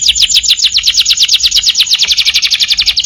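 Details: Canary in full, energetic song for use as a master recording to train other birds: a fast, even trill of descending notes repeated about three times per second, high and bright, with nothing else audible.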